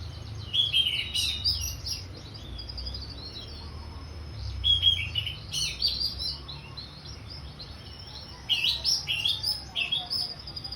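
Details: Orange-headed thrush singing in ngeplong style: bursts of varied, high whistled and chattering phrases with sharp rising and falling notes, in three bouts separated by short pauses, over a low steady background hum.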